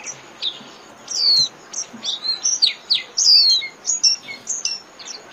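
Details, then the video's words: Japanese white-eye song in the líu style for training caged birds: dense, busy sequence of sharp high chirps and falling slurred whistles, almost continuous with brief gaps. "TIẾNG CHIM KHUYÊN LÍU CỰC CHẤT"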